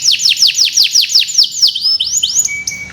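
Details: Long 'gacor' canary song, a master recording for tutoring birds that have stopped singing. Quick series of arched, downward-swooping notes slows into wider-spaced slurs, ending with a thin steady whistle.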